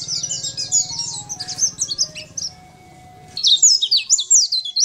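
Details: Sunda white-eye, a champion singer used as a tutor for other birds: quick high slurred notes, a short pause filled by a low hum and faint tones, then another energetic burst of shrill chatter.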